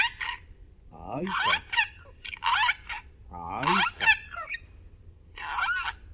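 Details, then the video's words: Kuki, a talking Amazon parrot entered in a Polish talking-bird championship, practises words in a yard. He chatters in short bursts of word-like sounds, with a couple of rising squawky sweeps and quiet breaks between phrases. "Gadająca amazonka Kuki ćwiczy słówka"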